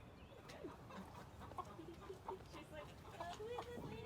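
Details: Hens in a college garden coop of 33 hens and 2 roosters, March, cackling after laying eggs: short, uneven, rising bursts from several birds overlapping in a noisy ruckus, with faint speech and outdoor noise beneath.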